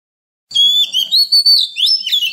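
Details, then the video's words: {'caption': 'Wild-style Oriental magpie-robin song meant for coaching young birds and stimulating newly caught birds: a sustained high whistle leads into warbled, swooping notes and a few sharp downslurs.'} "Luyện giọng chim non kích chim bổi hót mỗi ngày với giọng rừng cực chuẩn | Kích Choè Than Hót"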